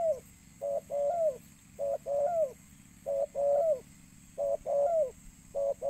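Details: Spotted dove call for luring birds: loud, clear sets of a short coo followed by a longer, slightly falling coo, repeating about every second, with steady high electrical whine behind.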